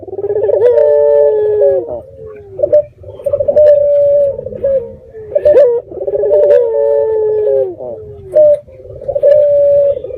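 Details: Red-eyed dove used as a lure so other doves reply: rhythmic coo phrases about every three seconds, each a throbbing low note followed by a level held tone and a downward slur.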